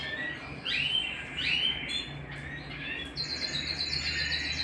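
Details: Canary at home giving a few rising slurred whistles, a pause, then a quick high repeated trill; the notes are fairly soft.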